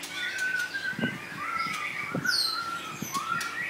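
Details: Pair of female White-rumped Shamas kept caged side by side just after molting: steady mid-pitched whistled notes with a few high sweeping slurs and a rising whistle near the end, plus soft taps and rustling from the birds moving.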